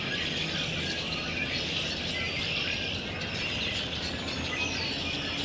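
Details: A migrating, foraging flock of Red-winged Blackbirds on a cloudy, rainy day makes a steady wash of overlapping high chirps and chacks, with no single call standing out.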